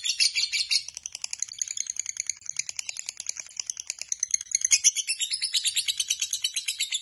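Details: Long ngekek from lovebird Biola, sung day and night: an unbroken shrill chatter, loud at first, then a softer run of quick regular pulses.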